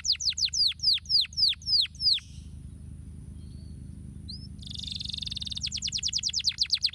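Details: Canary song meant to stimulate lazy canaries into singing: a series of sharp descending whistled notes repeated evenly, a short pause with a faint buzz, then a dense rapid trill giving way to quick downward-slurred notes.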